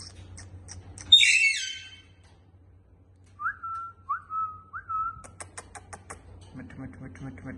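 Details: Pet talking parrot giving a sharp, descending harsh squawk, then a quiet pause followed by three short, clear whistled notes, each rising then flattening, with faint clicks and a low hum behind.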